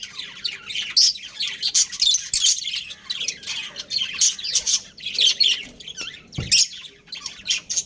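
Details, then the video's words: Budgerigars from a breeding pair kept as pets, giving quick sharp chirps and squawks in short rhythmic bursts, sometimes pausing briefly, plus one low knock partway through. "Adorable Budgies Chirping Sounds"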